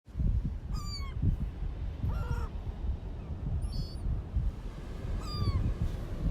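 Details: Gulls at Coney Island give four mewing, slightly arched calls about every one and a half seconds over a steady low rumble of wind or surf.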